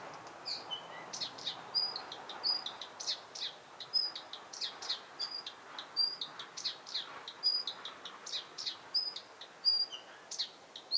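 Blyth's reed warbler singing a steady stream of short, high, chattering phrases, each motif repeated several times.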